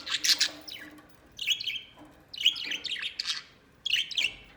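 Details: White pet budgerigar chirping and warbling indoors in four short bursts of bright, scratchy chatter, with quiet gaps between them.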